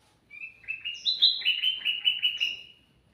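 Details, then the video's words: Sooty-headed bulbul singing energetically, a recording used as a lure for other birds: a rapid run of bright, chirpy notes about two to three per second, loud and clean with a quiet background. "suara burung kutilang mas gacor cocok buat pancingan"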